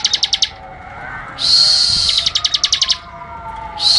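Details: Bar-winged prinia song, recorded as a training track for cage birds: bursts of rapid, sharp, high ticking notes alternate with long, dense, hissing buzzy phrases. A faint wavering siren-like tone sweeps in the background.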